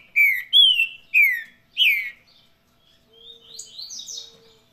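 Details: Saffron-billed saltator, Paraná-style song: four rich whistled notes, each falling in pitch, in quick succession, followed by quieter high twittering notes and a faint low steady tone.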